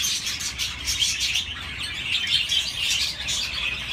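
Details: Budgerigars chirping: dense, continuous high twittering and chattering with rapid overlapping notes, busy and unbroken throughout, no pauses between calls.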